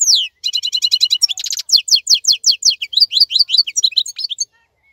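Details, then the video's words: European goldfinch of the khalawi kind, still lively while others molt; opens with a rapid rattling trill, then a long run of sharp descending chirps and tinkling twittered notes. "تغريد افضل من كل تغاريد طائر الحسون الخلوي"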